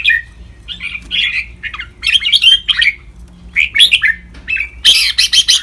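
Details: Red-whiskered bulbul training song in the ric, double and lak wai styles: bright, chattering warbled phrases with short whistles, ending in a burst of harsh, rapid notes, with a low steady hum underneath.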